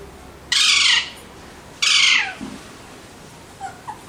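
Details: Alexandrine parakeets give two long, loud, rasping screeches just over a second apart, followed by a few faint, low chirps.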